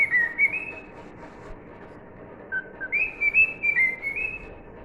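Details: Clear melodic whistling from a cockatiel singing "If You're Happy and You Know It", an opening phrase, a pause, then a climbing series of held notes that dip and rise again.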